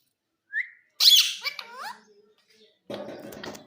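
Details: Indian green ringneck (rose-ringed) parakeet talking: a short rising whistle, then a burst of high, scratchy speech-like chatter, ending in a harsh, noisy squawk.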